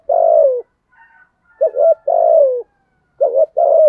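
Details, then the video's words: Spotted dove cooing in the deep 'giọng thổ' voice: long level coos that drop at the end alternate with quick double notes, with a faint thin whistle in a brief gap. "cu gáy giọng thổ thúc gù"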